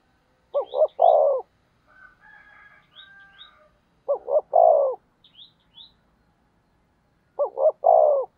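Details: Decoy spotted dove cooing to entice wild doves to answer. Three phrases, each two clipped notes and a long coo, spaced about three seconds apart, while small birds chirp high and chatter softly in the background.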